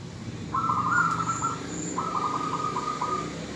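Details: Female zebra dove calling to a male to draw him into singing: two drawn-out, slightly wavering mid-pitched phrases, each about a second long, separated by a brief pause, over a steady low background hum.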